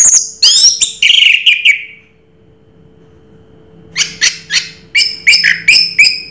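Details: Anis Merah, the orange-headed thrush, singing Raja Teler: fast scratchy chatter and a falling whistle, a brief gap, then about nine sharp rhythmic chirps in quick succession, with a steady low hum.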